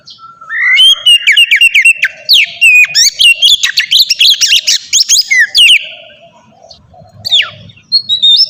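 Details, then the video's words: White-rumped shama delivering ngeplong song for training captive shamas: a long dense burst of whistles and rapid chips for about five seconds, then quieter pause and a few sweeping notes, with low background hum. "suara burung kacer ngeplong merdu"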